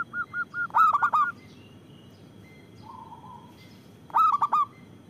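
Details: Local zebra dove, used for luring and prompting lazy doves to sing: a few quick short notes run into a loud four-note cooing phrase, a soft low murmur, then another loud cooing phrase.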